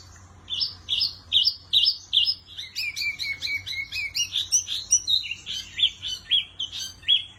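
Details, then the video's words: Wambi Mini in full lively song: rapid repeated high chirps, about two or three per second, with a lower whistled trill woven through the middle and a steady, unbroken pace, low background hum. "Burung Wambi Mini Gacor Kicau Terbaik"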